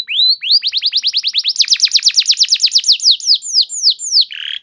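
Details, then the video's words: Singing canary, a lure song for training: a fast, even trill of sharp descending notes that quickens into a dense rattling roll, then slows into separate sweeping whistles and a short buzz. "Terapi Burung Kenari Cepat Bunyi Gacor Dengan Suara Pancingan Kenari Gacor Nembak Panjang Ini"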